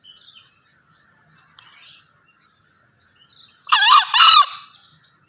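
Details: Male green junglefowl: a sudden harsh crow in two close bursts lasting under a second, preceded by quiet twittering of small birds in the background.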